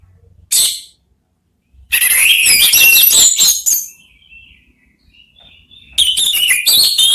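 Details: One of three Orange-headed thrushes answering each other. A brief high note is followed by a loud, jumbled stretch of whistles and chatter, then a quiet pause with faint thin notes, then a new loud burst.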